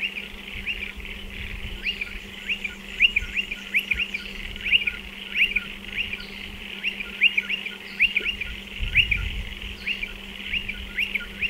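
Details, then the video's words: At nesting burrows in a dry stone wall, striated pardalotes call steadily, giving crisp, high, rising double notes in a rapid, even series over about eleven seconds, with a quiet background hum and a soft low thud. "Striated Pardalote calls and behaviour"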